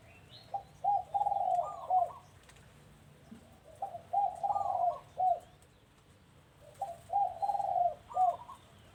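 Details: Doves at a house repeating one cooing phrase, a string of short soft coos ending in a higher note, given three times about every three seconds, with a quiet background.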